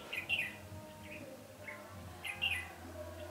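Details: Red-whiskered bulbul decoy luring wild birds to fight during trapping, 20 November 2015; a lively warbled phrase, softer single notes, then another phrase about two seconds later over low rumble.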